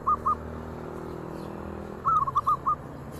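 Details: Local zebra doves in active song, others joining when one sounds off: two short soft coos, a long pause, then a quick cluster of four or five rounded, mellow notes against a low background hum.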